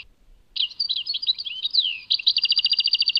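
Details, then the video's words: Tadmait European goldfinch song: varied slurred twitters and a downward swoop, then a fast run of identical clipped notes, about eight per second, in a clean, quiet recording. "Chant chardonneret Tadmait"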